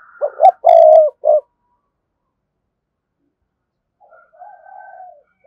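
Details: A spotted dove sings to call a rival: a burst of four clipped cooing notes with one longer mellow coo in the middle, then silence, and later a faint, soft, wavering coo.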